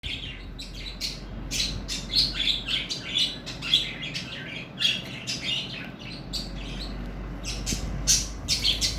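Budgerigars chirp in quick, scratchy bursts, a busy overlapping chatter.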